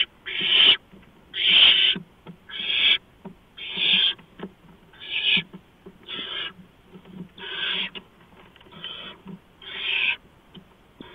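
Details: Pre-dawn barn owl nest scene, 6 March 2015 at 4:26 AM, with a mouse delivered: about ten harsh hissing screeches at irregular intervals near one per second, with faint scuffling and rustles between them.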